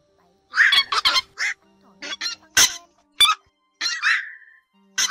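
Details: Black-crowned night heron flock-gathering and "biting" calls used as a lure for night netting during the August 2024 migration season: harsh, hoarse squawks and croaks in uneven bursts, some short and clipped, one trailing off into a drawn-out rasp.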